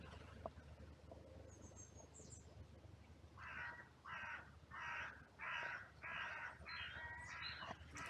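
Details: Crows in a cemetery oak grove, hand fed alongside squirrels and pigeons. After three quiet seconds with faint high chirps, about seven harsh, hoarse caws follow in a steady series roughly every 0.6 seconds.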